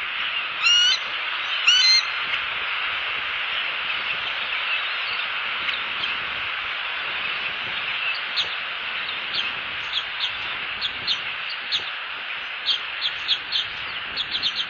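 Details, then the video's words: A Bald Eagle pair calls to each other off-camera at a nest in Southwest Florida on 10/01/15: two high, chittering squeals near the start, followed by a steady rushing background with scattered faint ticks. "Harriet & Slim Have a Discussion Off-Cam"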